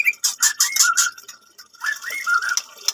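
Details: White-rumped shama, captive-bred F1 of Medan stock on a bird farm, sings a burst of sharp clicks and rattles followed by bright, slurred whistled phrases, a short gap, then more whistles mixed with harsh notes.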